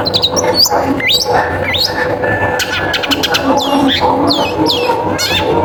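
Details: A long-tailed shrike sings a prompting song used to trigger other shrikes: hooked whistles sweeping up and down, a brief burst of buzzy pulses, then more looping whistles, over a steady murmuring background and music.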